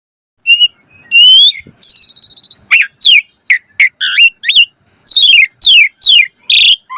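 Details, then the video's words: Asian pied starling song in the 'full variasi mompa' style, used as a lure to get birds singing: rising whistles, buzzy trills and sharp slurred notes in quick succession, with short pauses between phrases. "Pancingan Jalak Suren Full Variasi Mompa - Masteran Suara Burung Jalak Agar Gacor Full Isian Mewah"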